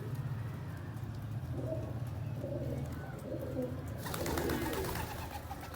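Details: Pigeon giving low, soft rolling coos against a steady low hum, then a sudden burst of broad rustling noise near the end, possibly wing flaps.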